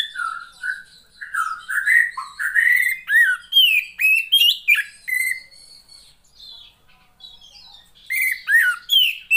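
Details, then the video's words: Oriental magpie-robin female, played to encourage lazy males to sing: a long varied sequence of whistled, slurred notes and chirps, loud and fairly continuous, pausing briefly before a final bright burst. "SUARA KACER,POCI BETINA,terapi untuk memancing burung jantan yang males bunyi"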